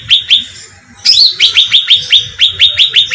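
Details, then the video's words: Bait recording of a cucak ranting bulbul for attracting birds: a pair of crisp chirps, a short silence, a shrill rising squeak, then a long train of quick, sharply dropping chip notes. "suara pancingan cucak ranting"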